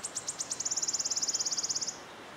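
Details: In Yarner Wood, Devon, a wood warbler's song opens with separate high ticks that accelerate into a rapid, dry, shimmering trill lasting about a second and a half before ending sharply.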